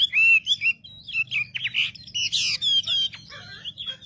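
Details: Wambi lure song aimed at provoking other wambi birds: loud wavering whistles and harsh noisy bursts alternating with clear descending notes, in short varied phrases over a low background hum.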